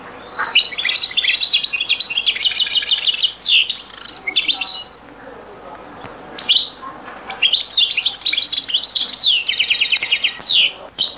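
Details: European goldfinch singing in the Beni Messous 'les avocats' (zaboka) style, from a very old recording: two long bursts of rapid, tinkling, buzzy twittered phrases, high and densely packed, separated by a short pause with scattered chirps.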